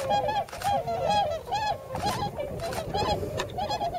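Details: Wintering tundra swan flock in rice fields at Yasugi, Shimane, Japan: loud overlapping nasal whooping calls in bursts roughly once a second, with hissing gusts between them.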